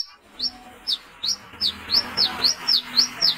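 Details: Brown-throated sunbird call used as a lure at night: sharp, high, downward-slurred chips repeated about four times a second, steady and insistent, over a faint low background hum.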